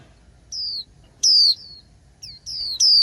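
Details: Female white-eye in late spring. Piercing, high, descending whistles come in quick succession, a softer note followed by louder, brighter ones, over a quiet background.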